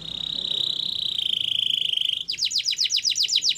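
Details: Russian canary holding a level, high, fast-pulsed trill for about two seconds, then switching to a quicker series of sharp downward-swept chirps.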